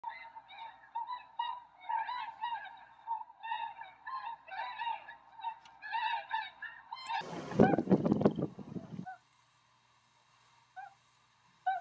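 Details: Tundra swans at Rosedale and Munson near Drumheller, Alberta, Canada, giving high honking calls in uneven bursts for about seven seconds, followed by a loud rumbling noise and then near silence with a couple of faint calls.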